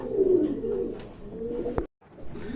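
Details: Pigeons kept for sale, cooing indoors: a soft, throaty coo swells and fades, followed by a sharp click and a brief cut-out before the cooing resumes faintly.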